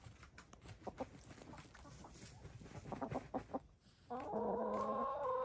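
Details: Domestic hens, grey, lavender, blue and black, dust bathing; soft scratching and scuffing of dirt with scattered low clucks, then a louder drawn-out tonal hen call with stacked harmonics near the end.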